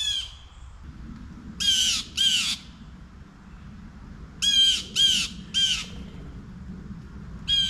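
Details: A Blue Jay (Cyanocitta cristata) on a windy day gives harsh, nasal jay calls, single and in pairs, about seven in all, over a steady low rumble of wind.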